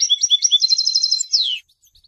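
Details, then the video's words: Goldfinch song, said to attract females and announce presence: bouncing two-note whistles, then a rapid even trill of high chips ending in a long downward-sliding slur, followed by silence. "Golden songs for goldfinch voices for education and training"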